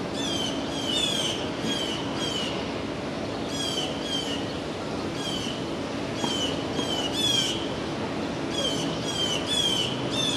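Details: Blue jays harassing a young red-tailed hawk fledgling in a Manhattan park in June 2022: repeated grating, nasal jeers, often doubled or tripled, keep coming throughout against constant urban rumble.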